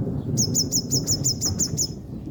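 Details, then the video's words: Drying herself after a soaking rain, a female yellow-bellied sunbird chips eight times in quick succession, each note high, sharp and slightly downslurred, against a low rumble of thunder and rain. "sunbird calling"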